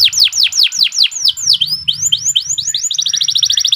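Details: Canary in long, continuous song, used as training material for young birds: repeated high notes sweeping downward, speeding up and ending in a rapid, even trill.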